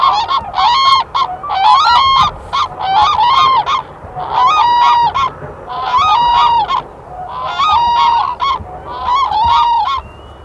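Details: Highly endangered Black-necked cranes forage in Bhutan's Phobjikha Valley, calling in loud, brassy trumpeting bursts, each a cluster of harsh honks with a bent, wavering tone, repeated about every one and a half seconds.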